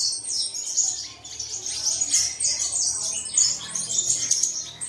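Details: Chorus of caged-bird song meant to prompt other birds to sing at dawn: high, rapid, squeaky twitters and short whistled slurs pouring out continuously from overlapping birds.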